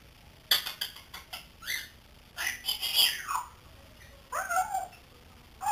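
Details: Three-month-old pet grey parrot learning to talk gives scratchy, noisy squawks and bursts, including a long hoarse phrase and short squeaky notes rising then bending down.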